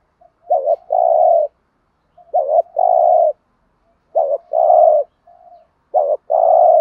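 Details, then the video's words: Decoy spotted dove bought in Dak Lak, Vietnam, calling to attract other doves. Four phrases come about every two seconds, each a short wavering double coo that leads into a longer low coo. "Cu gáy mồi"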